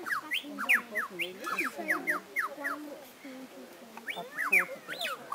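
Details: A superb lyrebird at Healesville Sanctuary mimics various sounds in a rapid medley of sharp downslurred whistles, rising sweeps and lower warbled notes, changing every fraction of a second.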